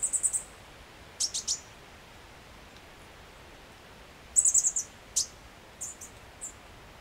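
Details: Chestnut-backed chickadee in Washington in summer, while adults are busy feeding their young: short bursts of very high, thin chipping notes, a few clustered together and some single, against a steady background hiss.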